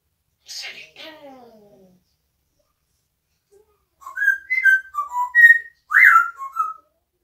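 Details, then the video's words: Talking pet parrot, kept indoors: a short, falling, voice-like phrase, then a pause, then a quick whistled tune of six or seven bright notes that step up and down, ending on a louder, rising slur. "the parrot saying "it,s cold"and singing torotino"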